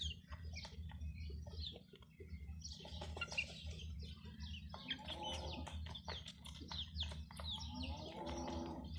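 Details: Chicks chirping near a hen: rapid high, downward peeps from several birds, broken by two lower, throaty clucking bursts from the hen, over a continuous low hum with taps and scratches.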